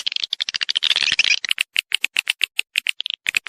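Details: Lure call for swiftlets, meant to bring them to a swiftlet house: a rattling burst of overlapping high twitters, followed by spaced single chirps about four per second.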